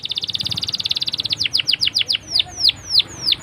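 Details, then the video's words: Canary in loud, continuous song used as a lure to teach young canaries to sing: a fast rattling trill of high notes, then slower repeated downward-sweeping whistles, about four per second. "PALING D CARI UNTUK PANCINGAN KENARI PAUD BELAJAR BUNYI!!"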